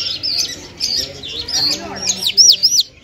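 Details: Lunda or Mashadi jal, an Afghani lark, giving a string of clear high whistles that end in sharp, arched, slurred notes, the loudest near the close.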